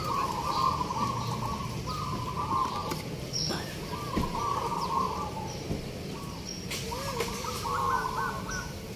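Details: Local zebra doves competing at a practice singing contest at Tlogorejo market, Godean, Yogyakarta, Indonesia. Many birds sound at once: bursts of rolling, trilled coos at a steady mid pitch, repeated every one to two seconds and overlapping, with faint crowd noise.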